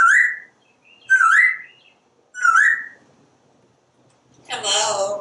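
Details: Parrot kept as a pet on a screened back porch, watching squirrels and birds, three clear rising whistled notes about a second apart, then a hoarse, drawn-out speech-like utterance.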